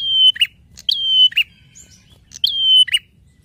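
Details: Prinia (prenjak) singing energetically, for use as a songbird master recording: three phrases, each a drawn-out high whistle closing with a harsh, buzzy note, spaced about a second apart.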